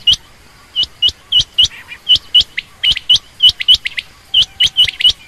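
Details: Female quail, common or rain quail, chirping rapidly and almost continuously. Sharp, upturned notes come about four per second, in loose pairs and runs.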